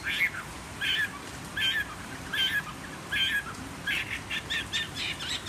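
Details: Fighting Chinese hwamei, wild-caught, caged for three seasons and singing on a table, voice a little hoarse: evenly spaced loud warbled phrases roughly every three-quarters of a second, quickening into a fast twittering series at the end.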